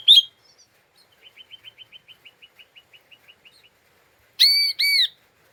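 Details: Ngeriwik chattering of an agitated lesser green leafbird, used to provoke other birds: one loud chip, a long line of soft rapid ticks, then two loud, harsh, drawn-out notes.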